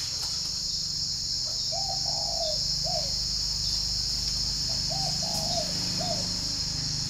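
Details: Morning coos of a spotted dove at a dove garden in Ba Vì district, Hanoi: two low hollow phrases, each a quick note, a longer wavering coo and a short final note, over steady insect drone and low rumble.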